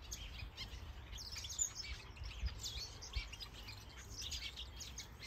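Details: Mixed aviary birds in a large planted enclosure in Denmark, many breeding with eggs or chicks. Dense high chirps and short twitters come in quick bursts, with a constant low background hum underneath.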